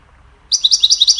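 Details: A goldfinch gives a cheerful training song to teach other birds, a quick run of bright, tinkling twitters, about eight high notes in under a second, clear against a quiet background.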